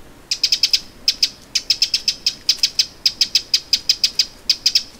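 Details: Eurasian wren alarm calls recorded in late July 2017 on the shore of Lake Vänern, Sweden: sharp dry ticking clicks in rapid bursts of three to six, separated by short pauses, steady throughout.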